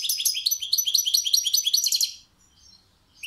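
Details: European goldfinch singing a rapid, two-second burst of bright, tinkling twitters and buzzy trills, notes repeated quickly before the song stops, followed by near silence and a last short chirp.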